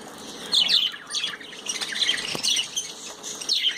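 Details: Pet budgerigars chirping while enjoying a bath: continuous overlapping warbles and squeaky chirps from several birds, rising and falling in loudness.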